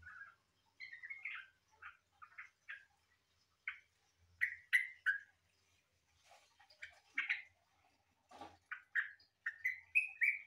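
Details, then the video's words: Yellow-vented bulbul in green-leafbird-like song, giving a string of short, bright whistled phrases, many rising or slurred, delivered irregularly with brief pauses, over faint low thumps in the background. "Suara burung trucukan mirip cucak Ijo...!!!???"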